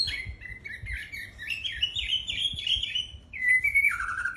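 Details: White-rumped shama singing a flowing series of whistled phrases, stepping upward through slurred notes, then a clear falling whistle after a brief break, with faint low background noise.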